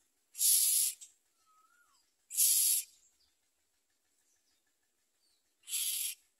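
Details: Nestling common mynas with their mother at the nest: three loud, hoarse hisses spaced a few seconds apart, separated by brief soft notes.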